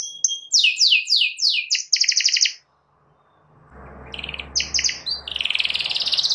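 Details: Canary singing to stir a rival into song: quick falling whistled notes and buzzy trills, a brief gap, then more trills over a low steady hum and background rustle.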